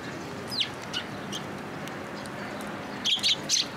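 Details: Sparrows gathering at a Tenmangu shrine bridge to get food, 9 October 2022. Scattered short, bright chirps early on, then three clustered sharp tweets toward the end, set against a constant low background hum.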